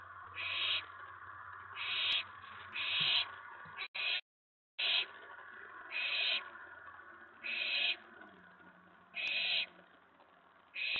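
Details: Nest-box owlet, night of May 19 2017, excited by an owl or owlet arriving at the tray after a mouse delivery; repeated short rasping hisses about once a second over low electrical hum, with a brief silent dropout midway.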